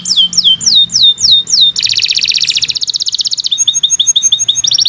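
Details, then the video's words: Kenari Nusantara canary in full continuous song for tutoring: falling whistled slurs give way to a dense buzzy trill, then rapid clipped high notes and another trill burst. "Kicau Burung Kenari 142 II LUAR BIASA GACOR PANJANG Cocok untuk Masteran"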